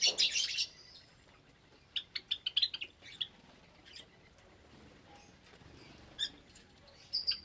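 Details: Java sparrows kept in an aviary where more chicks have hatched, Sunday morning, 8 May 2022. An opening burst of harsh chatter, then a string of short high chips, a pause, and a few more sharp notes.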